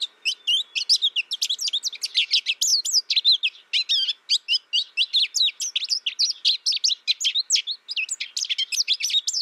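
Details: Isolation-reared American goldfinch, tutored by a recording in its first year, sings a long continuous run of rapid, high twittering and chirping notes, jumbled and unbroken for nearly ten seconds.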